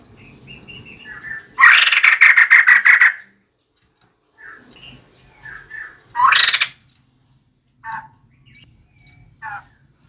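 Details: Decoy recording of a female White-crested laughingthrush: a loud burst of grating, rapid chatter, then a shorter rising rasp, with soft scattered whistles and faint calls in between.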